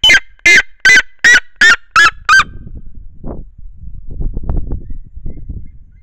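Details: A female red-legged seriema on her nest atop a dry tree trunk, lying over her single chick, faces the camera and calls: seven loud, harsh, yelping notes in quick succession, then quieter rustling.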